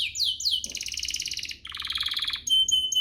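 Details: Lure song of a domestic canary, used to make other canaries sing: two falling whistles, a dense doubled rolling trill, a lower buzzy trill, then clear pure whistled notes.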